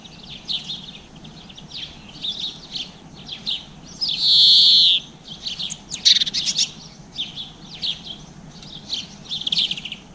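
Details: Chickadees, blue tits and greenfinches feeding on seeds in a garden at about 7 pm, April 2020, GoPro recording; busy high chirps and twitters throughout, with a louder sustained buzzy note midway and sharp calls after.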